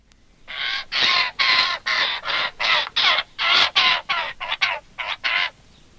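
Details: Young Eurasian Jays in a broad-leaved English woodland in June beg to be fed with harsh, rasping screeches, about fourteen hoarse calls in quick succession, two or three each second, with no other sounds.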